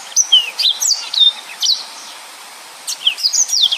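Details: Yellow-fronted canary 'nembak' singing: quick descending whistles and sharp chirps, a short silent gap, then another cluster of high slurred notes.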